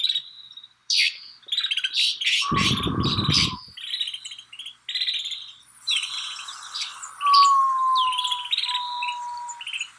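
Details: Snow buntings chattering in Kananaskis, Alberta, Canada: clustered high chirps and buzzy notes, interrupted by a loud low rumbling burst of noise, then a thin steady tone sliding gently downward under continuing calls.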